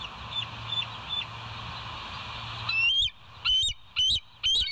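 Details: West End bald eagle recorded by a nature live cam on 25 September 2023 at 7:00. Faint distant piping first, then four loud, high, shrill whistled notes spaced about half a second apart.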